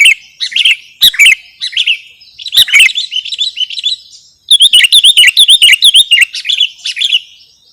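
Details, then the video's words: Sooty-headed bulbul sound recording meant for luring and for tutoring caged birds (masteran): bursts of bright, bubbly chirped notes, a short pause near four seconds, then a fast, dense run of rising and falling chirps. "Suwara Mp3 Sangat Cocok Buwat Pikat/ Masteran Burung Kutilang"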